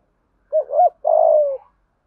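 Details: Spotted dove decoy calling in a local-voice style: a quick two-note wavering coo followed by a longer, steady, slightly falling purring coo, low and mellow, about one second in all, in silence.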